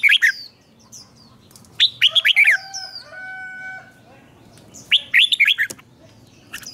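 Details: Chào mào (red-whiskered bulbul) training song at morning, ché style: a few quick bubbly whistled phrases alongside long, even, flute-like tones and quiet stretches between bursts.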